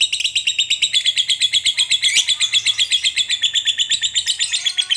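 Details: Lovebird in long, continuous chatter meant to provoke a lazy lovebird into singing: rapid, harsh, high chirps repeated about four times per second in an unbroken even stream.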